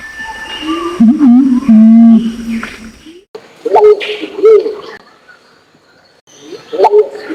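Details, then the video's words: Pinon's imperial pigeon male and female lure calls from Nabire, Papua, Indonesia: deep, wavering hooting coos in long drawn phrases, loud at first, then quieter bursts after a pause, with faint higher tones above. "suara pikat jantan dan betina burung pergam alis merah"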